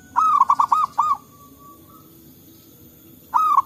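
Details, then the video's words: Wild local zebra dove in forest, answering other doves, recorded as a lure: a soft rolling phrase of a long coo and four short bubbling notes, then a quiet pause and the start of another phrase. "Suara Burung Perkutut Lokal Gacor Ampuh Untuk Pikat Dan Pancingan"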